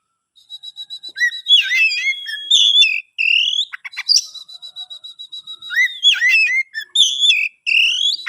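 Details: Kacer songbird, captive-bred in Kebumen, opens with rapid ticking notes, then holds a steady high whistle beneath a fast medley of chirps, upslurred whistles and scratchy trills.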